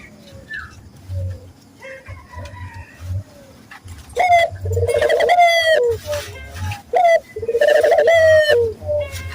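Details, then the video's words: Barbary dove cooing as a lure to train local doves to coo readily. After a quiet, hum-filled start, loud rolling coos begin about halfway through: a sharp rising note, then a long level purr, repeated with short gaps. "pancingan burung puter gacor, melatih burung puter lokal agar cepat gacor"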